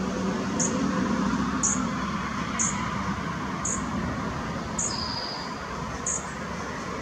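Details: A sleepy fledgling Dark-eyed Junco calling on 5 June 2017 at 12:23 gives thin, very high chip notes about once a second, with one faint falling whistle, over a steady roar of background noise.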